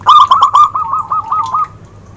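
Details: Zebra dove (perkutut) song, used to lure birds: a few loud coos, then a rolling, bubbling series of quick notes at a steady pitch that tails off, with a faint low hum underneath.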